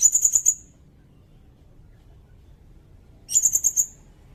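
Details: High sirindet phrases, used to tutor cage songbirds and to lure birds: two bursts of five or six very rapid, sharp notes, about three seconds apart, against a silent background.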